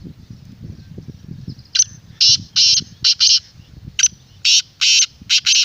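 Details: Black francolin calling, a recording played to a kept bird so that wild francolins are drawn to answer. A loud, harsh, grating series of about eight broadband bursts comes in the second half over a low, rumbling background.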